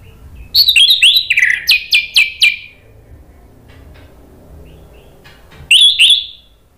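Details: Orange-headed thrush lure song for coaxing birds to reply and sing fully. A fast series of about a dozen sharp, slurred notes lasts two seconds. After a pause, one more bright, descending phrase follows.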